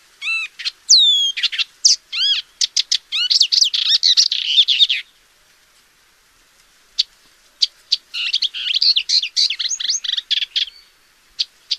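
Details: Paddyfield warbler singing: a fast, varied chattering song of dry clicks, rising whistled notes and buzzy trills. It runs for about five seconds, pauses with a few scattered notes, then resumes in a second busy burst.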